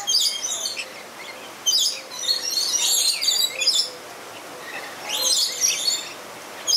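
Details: Zoo lorikeets at play in Tampa, Florida: loud, shrill, rasping screeches in clustered bursts, separated by quieter stretches with faint chatter.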